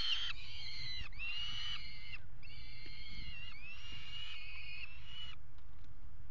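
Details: Peregrine falcon pair mating on the nest box ledge of a water tower in Axel, Netherlands, 5 February 2018: several grating wails, some dipping then rising, running almost continuously for five seconds before falling silent.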